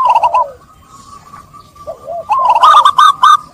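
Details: Zebra dove song played as a lure for stressed doves that stopped cooing: a brief coo phrase, a quiet gap with a faint tone, then soft coos and a loud burst of clipped, rattling notes.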